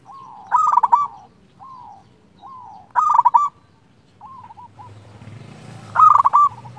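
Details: Local zebra dove calling a rival with clear song: three loud rolling coo phrases, with softer cooing from other doves between them and a low rumbling noise rising toward the end.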